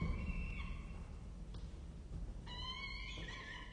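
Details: Peregrine falcon nestlings being fed at a nest in Orange, Australia: a wailing cry, a pause with low rumbling, then a louder overlapping burst of strained, harmonic calls.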